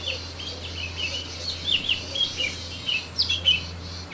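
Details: Yuhina in the wild, out gathering food for its chicks: soft, thin chirping notes come in small clusters, some sliding up, others down, against a constant low hum.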